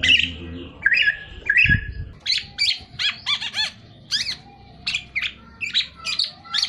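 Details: Black-naped oriole singing vigorously. A few buzzy, scratchy notes open the clip, then sharp, descending chirps follow in quick, evenly spaced bursts. A brief low thump is heard near the start.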